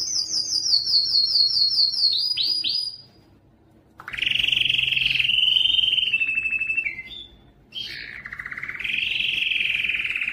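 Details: A male canary sings indoors in a canary room. Fast high repeated notes and descending slurs come first, then about a second of near silence, then loud sustained rolling trills with one sharp pitch change.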